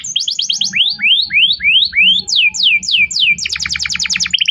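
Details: Canary song played as a lure so a young canary learns to sing: rapid high descending notes, slower rising slurred whistles, loud downward sweeps, then a fast dense trill.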